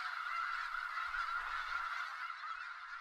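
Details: Far-off Skagit Valley snow geese produce a smooth, unbroken hubbub of merged honking from a huge flock, steady in level, with a brief low rumble midway.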